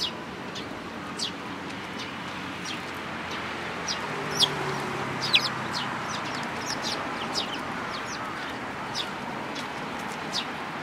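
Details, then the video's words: Busy, irregular high chirping from several sparrows, one tailless, at a Tenmangu shrine on 13 April 2022. The brief notes come roughly once a second, some louder and nearer, over a faint low background rumble. "可愛いすずめ達 尾なし雀君"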